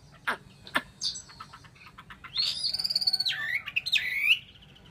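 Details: Chinese hwamei song with sharp clicks, then a long sustained buzzy whistle dropping into a series of rapid pulsed notes and a rising slur.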